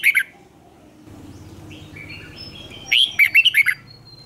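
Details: Fired-up red-whiskered bulbul decoy in competition singing, twisted long voice: a couple of clipped notes, faint twitters over low droning, then a loud phrase of about six rolling whistles.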